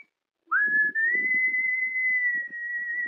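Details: Trained cockatiel whistling the tune of Wind of Change by Scorpions, one upward swoop flowing into a long, clear, steady note with slight vibrato lasting over two seconds, above low rough noises.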